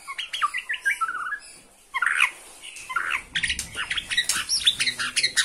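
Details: Bornean white-rumped shama roused by a rival, singing short whistled phrases and then a dense, busy stretch of chattering notes.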